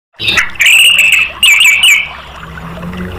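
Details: Orange-headed thrush song used as a therapy lure to prompt other caged birds to sing: loud clear whistled phrases, slurred and slightly warbling, in two bursts over a steady low hum.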